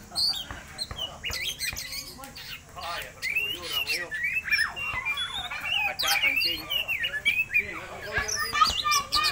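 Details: Magpie-robin song played to stir other birds into singing, a dense run of sharp whistles, buzzy notes and tumbling chattery phrases changing every moment, with a steady low hum beneath.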